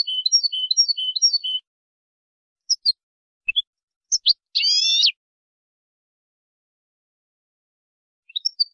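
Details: European goldfinch song for tutoring goldfinches, described as flawless: a quick run of bright, tinkling, high notes repeated in a rapid chain, then scattered short chirps and one buzzy, harmonic-rich note, ending with a few twittering notes after a pause. The background is silent.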